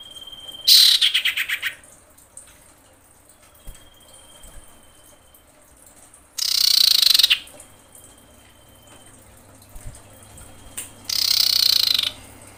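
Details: Lure recording of a female common iora in breeding condition screaming to call males: three loud harsh rasping bursts, each about a second long, spaced several seconds apart, with thin high steady whistles in the gaps.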